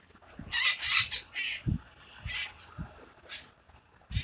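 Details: San Francisco parakeets in a mating ritual: rapid rough screeches in quick clusters, then scattered single squawks, mixed with dull low knocks from nearby movement.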